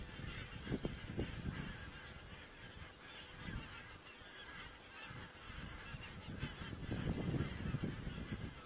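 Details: Geese in Estonia on 27 September 2017: a continuous babble of many honking and cackling birds, with several louder nearby honks standing out over low rumbling noise.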